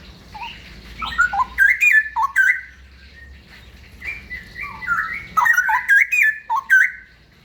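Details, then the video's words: Straw-headed bulbul (cucak rawa) in rapid ropel song, pouring out two chattering runs of mellow, gurgling whistles with rising and falling notes, with a soft hum underneath. "Burung Cucak rawa ropel"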